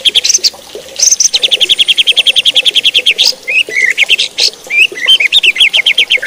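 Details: White-rumped shama singing to provoke other shamas: long fast trills of high repeated notes, followed by varied chattering and twisting whistled phrases.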